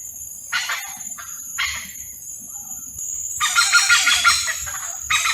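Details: Courting hornbills call in harsh, broadband squawking bursts, shorter ones first and then a longer, louder rasping outburst, against a constant shrill insect drone.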